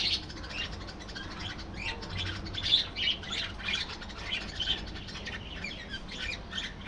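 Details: Colony of budgies chattering: a steady stream of fast, scratchy chirps and squawks, roughly three a second, with a low background rumble.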